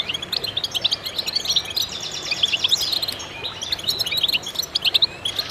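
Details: Goldfinch chorus of continuous high, tinkling twitters and buzzy trills, several birds overlapping so the song never pauses.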